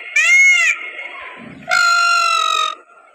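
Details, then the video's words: Peacock calling during a dance: one short, piercing, arched cry, then a longer flat nasal wail about a second later. "peacock sounds with dance"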